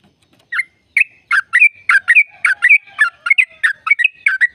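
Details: Yellow-vented bulbul song in the energetic 'gacor' style, used as a lure to make caged birds sing: lively chattering phrases of short bubbly notes mixed with brief whistled tones, delivered in quick uneven bursts.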